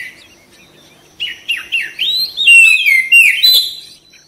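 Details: Oriental magpie-robin song from a therapy recording intended to trigger fast, vigorous singing: a run of short chirped notes builds into long, loud, swooping whistles, then fades out.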